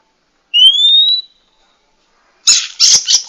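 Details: Oriental magpie-robin female, called to trigger a male's singing and breeding drive; one long clear upslurred whistle, silence, then a burst of harsh, noisy scratchy notes at the end.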